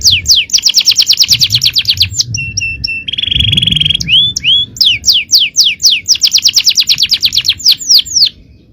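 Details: Male canary in full-power song, a long-duration tutor recording of champion phrasing: fast trills of downward-sweeping notes, a steady buzzy rattle, then sharp upslurred whistles and more rapid sweeping trills.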